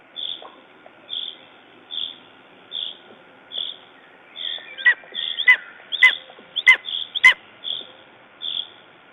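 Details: Soft higher notes tick along about once a second until a Lesser spotted eagle at its nest in Estonia, 14 June 2011, following a raven attack, bursts into four or five sharp yelps spaced under a second apart.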